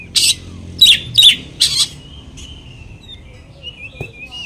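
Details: Oriental magpie-robin sounds meant to provoke another magpie-robin: four loud, harsh rasping bursts, then thin, faint whistles trailing off.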